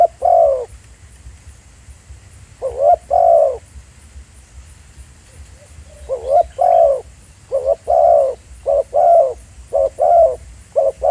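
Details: Spotted dove calling live in the field at Pha Sing, recorded at the real site as a decoy bird: low, hollow cooing notes in short paired and triple bursts, repeated steadily with brief pauses, over a faint background hum.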